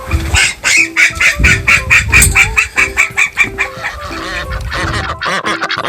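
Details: Captive call duck, from recordings comparing the voices of females and males: a fast series of about a dozen loud, raspy quacks, more than two per second, fading at the end, with light music behind.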